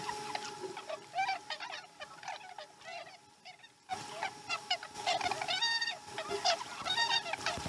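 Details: Chesapeake osprey nest during a slow-starting morning feeding, 2019-12-12: quieter chirping runs at first, then louder harmonic whistled calls in quick irregular series, with background noise and a steady hum.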